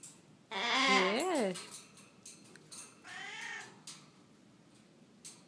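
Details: A happy, wet Triton cockatoo, just after a shower, gives raspy, wavering calls that rise and fall, a longer burst and then a shorter one, while a person talks softly nearby.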